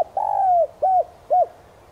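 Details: Spotted dove in the standard 'son' voice, kept as a decoy to draw in wild doves: a drawn-out, gently falling coo, then two brief rounded coos evenly spaced, the background otherwise quiet.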